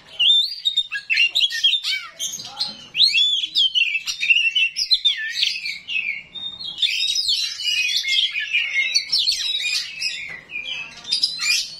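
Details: A 'rawit' oriental magpie-robin pours out its coarse 'isian kasar' fill-in song, used to draw answers from other magpie-robins: dense, fast jumbles of rising and falling whistles, chatters and harsh notes, barely pausing.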